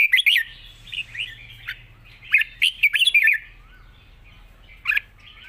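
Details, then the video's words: Red-whiskered bulbul singing a long song with light delivery and wild-style phrasing: two bursts of fast, bubbling, liquid notes, then a softer upslurred whistle and a lone bright note. "เพลงยาว ปากเบา ร้อง+ริก /สำนวนป่าๆ"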